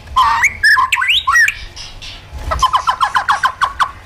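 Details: Caged white-rumped shama, trained in wild-style singing, gives looping slurred whistles, then a run of about a dozen short downward chips repeated rapidly, with a low rumble in the background.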